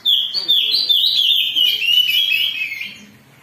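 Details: Agitated Oriental magpie-robin singing to provoke other birds into song, starting at once with a dense stream of fast, varied whistles and chattering notes that drift gradually lower before fading near the end.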